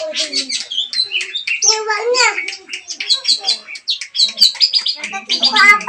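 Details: Long-tailed shrike song meant to goad a mute bird into singing, a dense stream of varied chirps, buzzy trills and mimicked-sounding whistles, restless and high, barely pausing.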